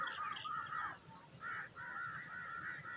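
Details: Eagle baby waiting for dinner utters loud, grating, drawn-out rasping calls, one long and several shorter, with little pause between them.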